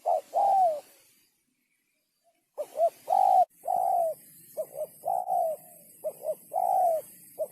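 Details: Cooing of a spotted dove meant to rouse both males and females; soft, low hoots come in clustered runs, with a silent gap near the start and a steady hiss in the background.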